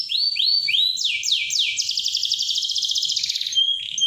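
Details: Canary in strong song, used to stimulate and train other canaries to sing: a series of clear upward-sweeping whistles that speeds into a long, rapid rolling trill, ending in a thin high note.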